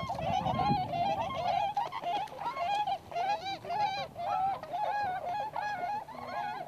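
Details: Wild tundra swans at a wintering site in Inzai, Chiba Prefecture, Japan, a flock that includes the American subspecies; many birds give overlapping nasal, honking calls in steady succession, with a brief low rumble at the start.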